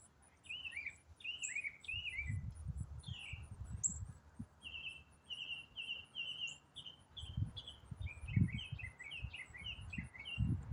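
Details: Autumn songbird delivering a long, varied, unbroken song: clear whistled and slurred notes, a steady string of flat piping tones, then rapid chattering twitters, over intermittent low thumping noise.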